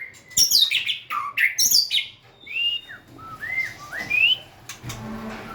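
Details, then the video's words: White-rumped shama singing with tail wagging and dancing: high sharp chirps open into looping whistled phrases, some swooping down then up, followed by a soft low trailing note. "Big Sound Birds Singing Chirping, Dancing And Beautiful Tails Wagging - Birds White-rumped shama"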